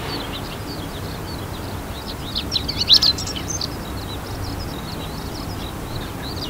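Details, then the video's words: Male chestnut-eared bunting singing from a grass top at its breeding site, seaside grassland by the Ota River, Hiroshima, 8 June 2020: one quick jumbled phrase of high scratchy chips; skylarks and zitting cisticolas twitter behind, with distant traffic rumble. "ホオアカ♂ 囀り 鳴き声"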